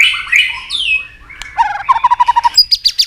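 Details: White-rumped shama provoked to sing against rivals: swooping whistles and a falling slur, then a steady series of low clear notes and a row of high sharp notes.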